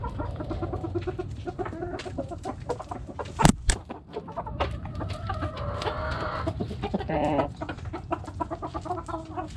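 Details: Backyard chickens with hens clucking in a dense, overlapping chorus of short repeated notes, a couple of loud sharp bursts near the middle and a low steady rumble underneath.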